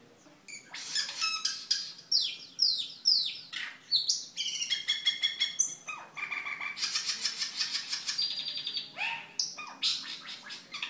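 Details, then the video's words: A cucak keling in full song, used for training other caged birds and for luring, delivers a fast, dense medley of chattering notes, sweeping whistles and buzzy trills in rapid succession with barely a pause. "Suara Burung Cucak Keling Gacor"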